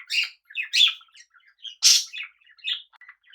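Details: Companion budgerigars kept with cockatiels chirp in short bright bursts, one much louder harsh squawk standing out in the middle of the chattering.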